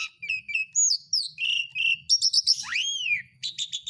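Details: Lively Asian pied starling song meant to prompt silent birds to sing: quick run of whistled chirps, bright slurred notes, a trilled stutter and a loud downward swoop.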